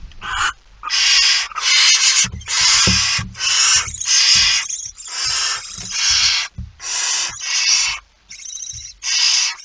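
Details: Barn owl at the nest, 19 September 2019, 05:28, in a dawn recording; a rapid run of about ten rasping, snore-like hisses, each around half a second, following almost without pause, with soft low thumps beneath.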